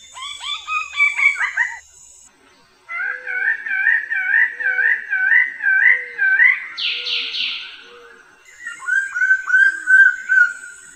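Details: Bird-of-paradise song: rapid runs of wavering, rolling whistled notes with harmonics, a burst of harsher sweeping notes, then more bubbling whistles, over a steady high thin tone.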